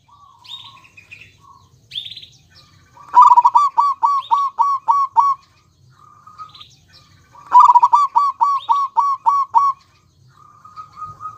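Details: Male and female local zebra doves singing: two phrases, each opening with soft drawn notes and then breaking into a quick run of about eight clipped, bouncing coos, with quiet whistled notes in between.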